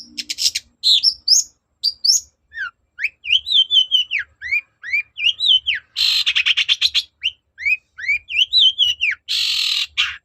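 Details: Energetic long-tailed shrike song played to prompt other birds to answer: high rising and falling whistled slurs repeated in quick sequence, mixed with harsh rasping bursts and scratchy chatters, continuous throughout.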